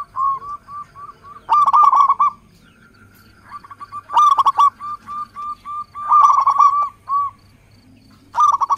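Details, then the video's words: Zebra dove of the local type used as a trigger song: rolling trilled bursts separated by short clipped coos, repeated about four times with a soft held note between. "Suara perkutut lokal pikat dan pancingan paling manjur di putar sekali langsung jadi rame"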